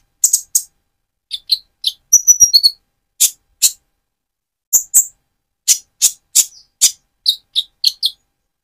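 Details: Speckled-plumage Van Hasselt's sunbird singing vigorously, used as a lure to rouse another sunbird's spirit; sharp, very high chips come singly and in quick pairs, with a brief trilled burst near the start and gaps between.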